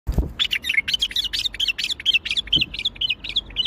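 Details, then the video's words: Bulbul singing in the Baghdadi style: a rapid, unbroken run of short bright chirps and warbled notes, about two per second or faster, with a brief low thump at the start. "تغريد بلبل طور بغدادي"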